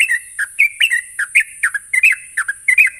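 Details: Sooty-headed bulbul singing steadily, used as a lure so untrained birds start singing fast: continuous chattering run of warbled, down-slurred whistles, often paired, with no pauses, over a constant high hiss.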